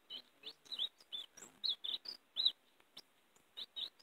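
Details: Quiet warbling song of the European greenfinch, used to call and capture greenfinches: separate bright chirps and short slurred notes spaced through a few seconds.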